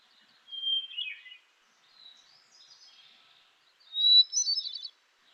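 Two fluty Hermit Thrush phrases, each opening on a long pure note and breaking into shimmering, echoing flourishes. The second phrase is pitched higher than the first.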